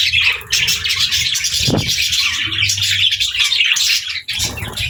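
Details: Pet budgies kept together with lovebirds, chirping while eating together: dense, continuous high chattering and twittering from several birds at once, with scattered squawks and low rustling or knocking sounds underneath.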